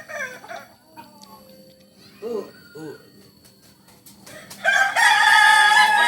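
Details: Kukuak Balenggek chicken from Solok: a few short, quiet calls over a soft background, then a loud, sustained harmonic crow bursts in for the final second and a half.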